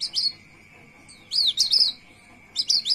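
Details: Javan white-eye (Zosterops flavus), a small protected white-eye said to be becoming rare, sings softer rolling chirps rather than sharp notes: three quick bursts of high, rolling chirps and twitters over a steady high hum.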